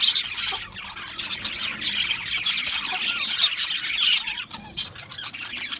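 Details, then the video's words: Many Australian parrots chirping at once, with rapid high twitters, scratchy squawks and a few sharp upslurred notes standing out from the constant flock chatter. "Beautiful Australian Parrots Chirping sounds beautiful Parrots Sounds"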